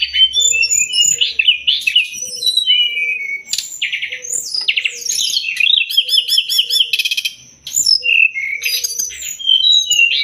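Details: Long master song of a Sumatran leafbird for training songbirds: a busy medley of warbled whistles, fast trills and sweeping slurs, briefly pausing, with soft low repeated tones beneath.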